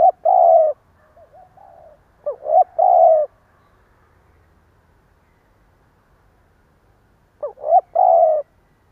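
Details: Spotted dove acting as a decoy, giving the stuttering 'gù cà lăm' coo meant to provoke rivals: three low phrases, each a quick broken double note and then a long steady coo, spaced several seconds apart; soft quieter coos between.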